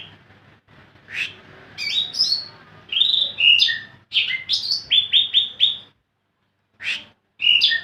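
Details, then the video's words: Lively caged greater green leafbird singing energetically: bursts of varied whistles and sharp chirps, some sweeping up and down, grouped in rapid clusters with short silent gaps between phrases. "burung cucak ijo paling gacor"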